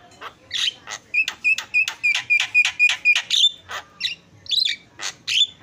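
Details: Javan myna singing, recorded as a training recording for other birds. It gives a fast series of clear whistled notes that repeat several times a second, mixed with harsher, buzzy chatter toward the end.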